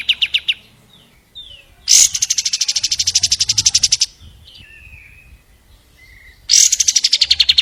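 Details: Long-tailed shrike singing: short opening chips, then a loud harsh start into a fast pulsing trill of about two seconds, soft slurred whistles, and a second trill at the end.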